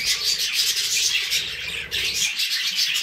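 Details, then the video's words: Dense budgerigar chatter, cockatiels also named, with fast high squeaks and twittering, a short drop in volume just before the two-second mark. "budgies song"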